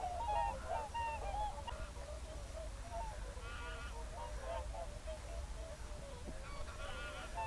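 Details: Late-afternoon whooper swan concert in a national park, 7 February 2023, geese present too: scattered loud honks stand out from a softer murmur of distant flock calling, with a low rumble underneath.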